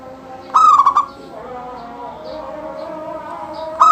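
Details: Local zebra dove, kept to prompt other doves into song: one rapid, bubbling trilled coo phrase, then quiet hum, and the next phrase starting at the end.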